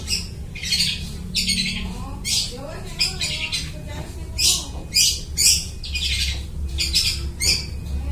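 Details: Mimicking song of a long-tailed shrike copying other birds, kept as a trapping lure: scratchy, buzzy phrases repeated irregularly, some thin rising slurred notes in the middle, over steady low hum.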